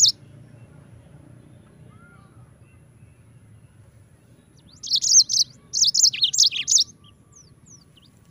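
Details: Yellow-fronted canary tutor recording for training other birds: quiet at first, then a two-second burst of rapid high chirped notes before silence.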